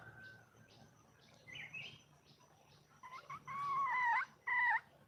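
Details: Wild red junglefowl hen calling to attract a mate. Two short, loud, harmonic calls near the end, each bending slightly in pitch, follow quieter scattered notes over a low background hum.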